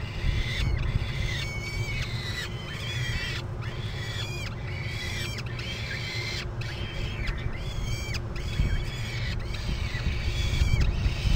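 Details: Nest-cam falcon chicks in Topeka, 17 May 2012, late afternoon, calling as the mother feeds them alternately; a near-regular run of rasping, arching cries roughly every second, with constant low background hum.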